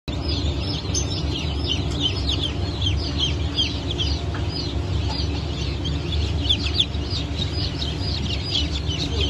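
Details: Newly hatched Blue Brahma chicks, a batch hatched on 22 June 2024, peep together in a dense, continuous chorus of high, short, downward-slurred cheeps that overlap constantly, over a steady low mechanical hum.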